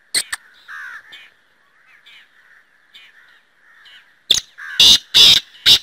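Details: Black francolin (Kala Teetar) giving its loud, harsh, grating call late in the recording: a short sharp note, then a burst of four rasping notes in quick succession, over a steady faint background of softer chirps from other birds.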